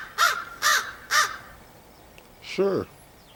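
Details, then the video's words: Crow calling on 30 August 2015 near a man who chats with it: three quick, raspy caws about half a second apart, then a lower, drawn-out croaking note after a short gap. "the many sounds of Woody Crow"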